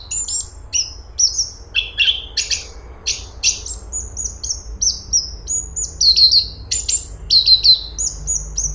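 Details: Cungkok, or grey-cheeked bulbul, delivering a varied, busy song. Piercing high whistles alternate with lower buzzy notes and quick downslurred chirps, repeated irregularly about every second, over a faint low hum.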